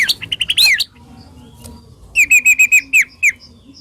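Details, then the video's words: White-rumped shama master song meant to provoke other shamas into singing, harsh and sharp 'tembakan' style: rapid whistled notes and a loud downslurred sweep, a pause, then a crisp series of repeated whistled chips. "Masteran Burung murai Batu Full Tembakan Kasar Dan Tajam"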